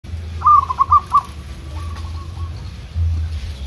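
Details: Local zebra dove (perkutut) trained in the wild, counter-singing with wild doves in kerot ntretek style: one quick phrase of four bright cooing notes, then a fainter answering phrase, over steady low rumble.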